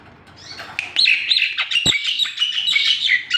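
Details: Javan pied starling song: a quick, steady stream of clear whistled notes and chirps, roughly three per second, with one sharp click midway.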